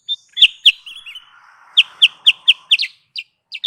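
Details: Lure recording of a sooty-headed bulbul for trapping birds: loud, clipped high chirps, a few short bubbly notes, then a steady row of five sharp chirps over faint background hiss.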